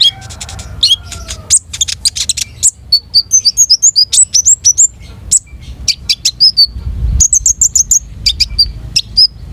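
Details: Long-tailed shrike (konin) singing steadily: a dense, varied stream of high chirps, sharp ticks and short whistled slurs, delivered fast with brief pauses, faint low rumble beneath.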